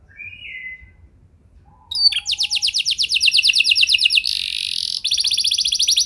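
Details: Canary song used to make other canaries sing: soft opening whistles, then a loud fast rolling trill, a buzzy harsh section, and the rapid trill again.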